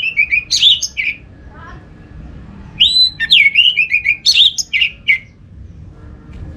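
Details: Song of an orange-headed thrush, played as sound therapy so that thrushes of any kind join in: two rich phrases of clear, falling and rising whistles and sharp chips, the second phrase longer and more varied.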